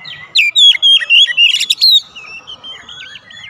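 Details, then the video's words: Oriental magpie-robin lure song meant to provoke other magpie-robins into answering: a fast burst of bright whistles and sharp chips, then softer trailing whistled phrases. "PANCINGAN KACER MANAPUN AUTO RESPON NGEPLONG"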